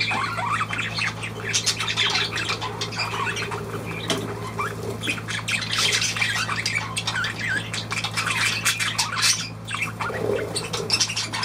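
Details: Budgerigars dated 23 June 2023 keep up a long run of harsh chatter, rasps and quick chirps, almost continuous, with a steady low hum behind them.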